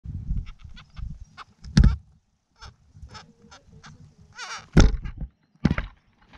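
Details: A Carnaby's black cockatoo nestling gives harsh, rasping, honk-like begging calls in a few irregular bursts over a steady low rumble.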